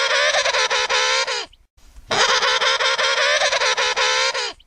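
An emperor penguin gives two loud, brassy trumpeting calls, each a rich, buzzing, harmonic blast lasting one to two seconds, separated by a brief pause.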